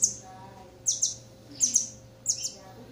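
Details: A Campo troupial chick being hand-fed gives thin, very high squeaky notes in quick pairs, repeating about every 0.7 seconds, over a faint steady hum.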